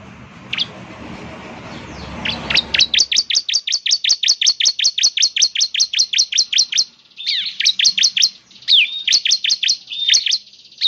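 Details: A bar-winged prinia's song, meant to draw song from a caged bird, opens with scattered notes over low background rumble. It then becomes a long, steady train of loud, sharp chips, about three per second, followed by shorter, more varied phrases.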